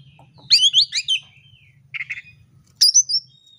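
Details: Oriental magpie-robin in fighting mode seeking a rival, its song used to goad other birds into fighting. Loud rapid cluster of sweeping high notes, then a short chatter and a final sharp whistled burst.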